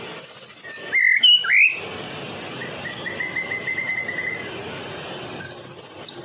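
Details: Medan-type white-rumped shama in full song, meant to lure other shamas: loud sharp whistled notes with upward slurs, a thin steady trill, and a high buzzy rattle closing the phrase.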